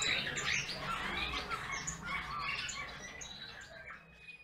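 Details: Bullfinch song of quick, creaky twittering and short rising whistles, delivered rapidly in a loose, uneven rhythm that gradually fades toward the close.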